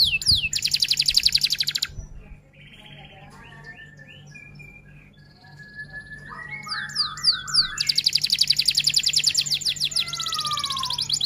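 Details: F1 canary singing hard in long-duration roll and 'tembak' style, made as a tutor recording: loud fast buzzy trill, pause with soft varied warbled notes, then rapid rising whistled sweeps and another long dense trill.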